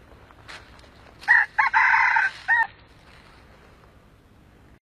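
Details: Red junglefowl crowing, an old wild bird in a trapping setting with a decoy: one harsh crow of about 1.5 seconds made of several broken, stepped segments, with quiet background and a short thump at the end.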